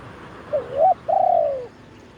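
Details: Decoy spotted dove on a branch cooing in the khan yon style to attract wild doves, recorded live: a quick rising note and wavering double coo, then a single long, smooth coo tapering downward.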